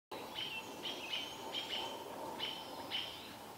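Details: American robins in Vancouver mobbing a barred owl mother while her owlet watches; sharp high calls with vertical strokes, about five in quick succession, over steady low background hum.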